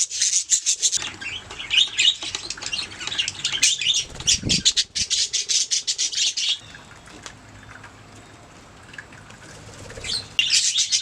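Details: Budgerigars chirping in a fast, busy chatter of high notes for several seconds, fading to quiet murmurs, then resuming with a loud burst at the end; a low hum runs beneath.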